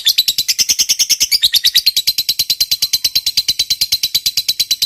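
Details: Long ngekek trill from a fighter lovebird, used to stir up other lovebirds: an unbroken, high, rasping chatter of about seven pulses per second that wavers slightly in pitch throughout.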